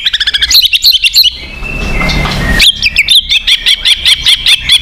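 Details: Selected white-rumped shama song played to stir caged birds into singing: fast runs of sharp, chattering chips, a short pause, then a long, steady, rapid series of ringing high notes.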